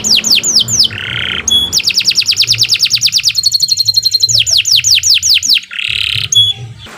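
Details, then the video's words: Canary singing steadily, recorded as a tutor for other songbirds: repeated downslurred whistles, a buzzy roll, then a long, rapid trill of even notes shifting into a higher tour, with more falling whistles and rolls. "Kicau Burung Kenari II GACOR PANJANG"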